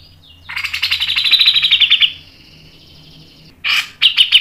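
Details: Cucak jenggot, the grey-cheeked bulbul, in a masteran lure recording. A rapid, slightly descending chattering trill lasts about one and a half seconds, then pauses before a harsh burst and a few sharp notes.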